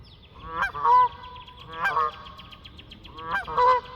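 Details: Geese calling while flying give three strong honks, each starting harsh and ending in a clearer, drawn-out nasal tone, separated by short gaps.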